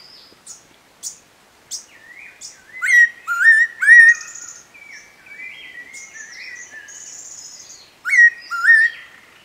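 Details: Spotted laughingthrush at Eaglenest Wildlife Sanctuary giving sharp, loud whistled notes, rising then falling, in paired phrases, with softer high chirps before and between them.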